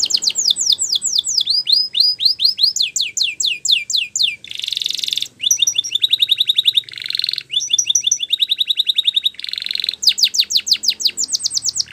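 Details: Canary song used for training: long, varied tour of rapid repeated high whistled notes, rolling trills and buzzy bursts, switching phrases every second or two with hardly a pause.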